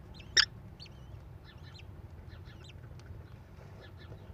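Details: Nest-camera sound from a Wisconsin American kestrel nest, May 13, 2021, mother feeding her four chicks; one loud harsh squeal at the start, followed by many faint, rapid, thin arched chirps throughout.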